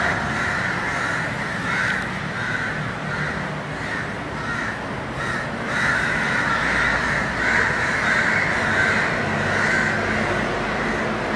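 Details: Large gathering of House Crows, Corvus splendens protegatus, at their dusk roost in Colombo, Sri Lanka, 28 February 2014: a dense, continuous chorus of overlapping raucous caws, swelling and fading without pause over a low background rumble.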